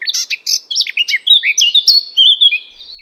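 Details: Eurasian Blackcap song from European hedges and garden edges: a scratchy warbling start opening into loud, pure fluted whistles that slide downward, a rich cascade of notes.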